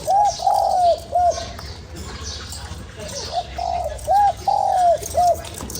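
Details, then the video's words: Spotted dove calling to rouse a lure bird, giving two matching phrases: quick hooked note, sustained descending coo, short closing note, separated by a few seconds of quiet hiss. "Cu gáy kích bổi"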